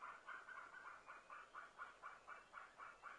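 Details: Early-morning begging from a White-tailed eagle chick at its nest on Smøla, Norway, 29 September 2017, adults calling nearby. Short, evenly spaced notes repeat about four times per second throughout.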